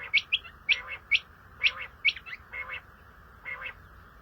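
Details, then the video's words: Common quail (Coturnix coturnix) uttering rapid, ringing three-note phrases, notes sharp and high, phrases following one another about once a second with little other sound. "CALL COMMON QUAIL (Coturnix coturnix) Batair ki Awaz , Batair Sound vol 13 , Common Quail Sound 2020"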